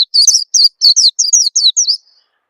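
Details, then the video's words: An Oriental white-eye gives a continuous run of high, thin, falling chirps and twitters, a lure call intended to get young birds singing fast. The calls trail off at the end. "suara pikat burung peleci bakalan biyar cepet bunyi"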